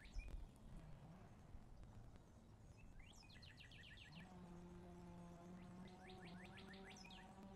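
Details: A red-shouldered hawk at its nest in Wake Forest, 11 April 2023 at 12:27, gives quick runs of high, slurred, repeated 'kee-ah' notes, two bursts several seconds apart, over a steady low mechanical hum.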